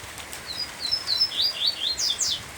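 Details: Coleiro (double-collared seedeater) singing its tui-tui style song in heavy summer rain: a quick run of high, thin whistled notes, some rising and some falling, bunched into a lively twittering phrase over steady rain patter.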